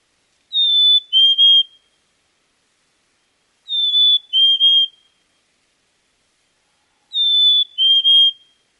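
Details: Black-capped chickadee in Wisconsin whistling a clear two-note song: a high pure note, then a slightly lower, doubled note. The phrase comes three times, roughly every three seconds, with silence between and no other sounds.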